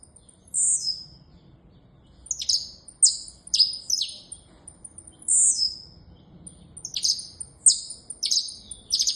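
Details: Saffron finch (canário-da-terra) singing: short high, bright phrases of sharp downward-sliding notes and buzzy chirps, given in bursts separated by brief pauses, over a quiet low background hum.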